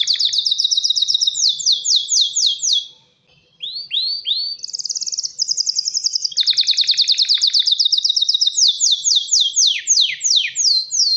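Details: ['Male canary courting a female: a run of falling whistles, a short pause, upswept notes, a very fast trill with buzzy rattle beneath, then more sharp descending whistles.']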